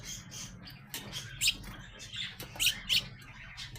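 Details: Growing sparrow youngsters, house sparrows, utter a few scattered, sharp high chirps, spaced unevenly over a few seconds, against a low droning hum.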